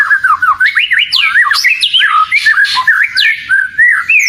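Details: Kacer, or oriental magpie-robin, in vigorous bait song. A fast stream of varied whistled loops and sharp high-pitched upslurs tumble out, about three notes a second, with occasional rasping accents.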